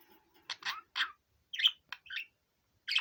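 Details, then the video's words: Five-year-old male pet budgerigar, out of its cage, gives a few scattered scratchy chirps and a couple of brighter squeaky notes separated by short silences. "セキセイインコのオス さえずり"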